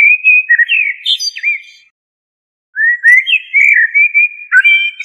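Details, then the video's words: Liquid, wandering whistled phrases of a common blackbird, with squeaky high accents, a pause, then a longer flowing phrase of varied notes. "تغريد طائر الشحرور جحمومية الزرياب"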